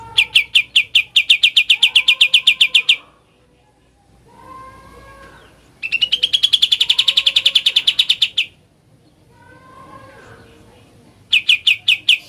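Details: Sooty-headed bulbul in ngebren style, three fast chattering runs of clipped, high chip notes, each run lasting two to three seconds, with soft lower twittering in the gaps.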